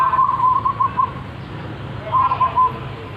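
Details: Local zebra dove described as having a big, loud voice, giving two phrases of rapid staccato cooing notes near one pitch, the first about one second long and the second shorter, separated by a brief pause over low background hum.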